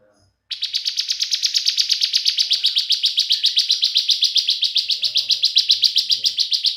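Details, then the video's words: Energetic bar-winged prinia song meant to provoke other prinias: a loud, continuous rattle of high buzzy chirps starting suddenly and running over six seconds at about five notes per second, with faint low thumps in the background. "Ciblek semi gacor BREN, PALING AMPUH bikin CIIBLEK semi jadi emosi GACOR"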